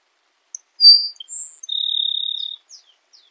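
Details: Grassland sparrow sings a bright high note, a thin rising whistle and a long buzzing trill nearly a second long, trailed by a few faint descending slurs, no other sounds.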